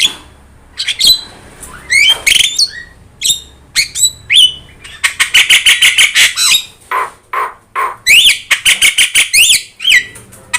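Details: Yellow-eyed Javan myna singing energetically as a master recording for training other birds; scratchy squawks and clipped whistles, then a run of fast dry chattering notes and rising whistles near the end.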